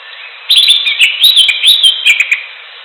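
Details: Natural recording of a greater green leafbird. A lively, run-on song of varied high whistles, slurred notes and quick chirps flows for more than two seconds, with brief dips between phrases.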